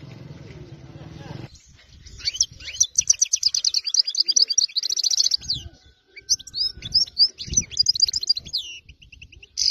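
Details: Wild-caught goldfinch from area 86 singing a fast liquid twitter of clustered chirps and trills, with low rumbling noise at the start and brief thumps in the background.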